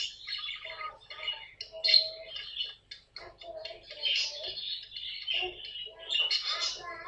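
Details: Pet caique in a compilation of funny parrot moments: high, shrill chirps and squawks alternate with lower, harmonic, voice-like sounds in irregular bursts, with a brief silence near the middle.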